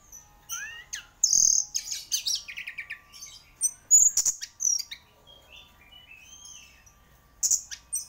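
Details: A singing champion orange-headed thrush produces harsh buzzy bursts, high whistles and scattered short notes, quieter toward the end.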